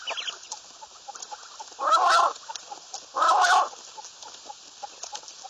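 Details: Common quail calling loudly twice, each call a short harsh burst of about half a second, spaced roughly a second apart, over faint background ticking and chirps.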